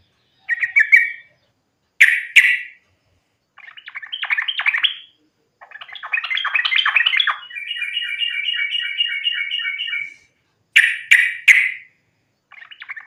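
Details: Fighting song of a sooty-headed bulbul, used to lure other bulbuls into singing: chattering phrases, a long fast trill of repeated bright notes lasting about three seconds, then harsh bursts and more chatter.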